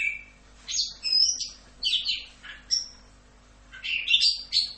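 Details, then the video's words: Orange-headed thrush (anis kembang) singing a 'rock'n roll' masteran: bursts of rich, twittering warbled phrases separated by brief pauses, plus a lone sharp whistle, with a steady low hum throughout. "MASTERAN ANIS KEMBANG FULL Rock'n Roll"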